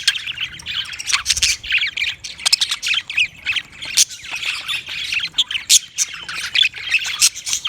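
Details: Continuous budgerigar warble of scratchy chirps, squeaks and clicks, high-pitched and steady in level with frequent sharp accents.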